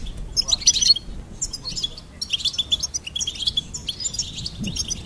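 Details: High tinkling goldfinch song in quick bursts separated by brief pauses, with liquid twitters and slurred notes throughout.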